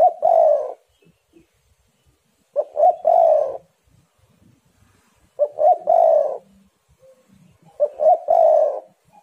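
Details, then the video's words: Spotted doves singing vigorously, heating each other up, recorded as a lure: four low cooing phrases, each two or three short notes and a long coo, repeated about every three seconds. "tekukur super gacor saling memanas"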